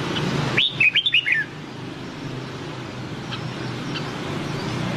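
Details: Single Nam Đông-style phrase from a white-cheeked red-whiskered bulbul, a training voice: five quick cascading whistled notes sliding downward, then near silence with low background hum.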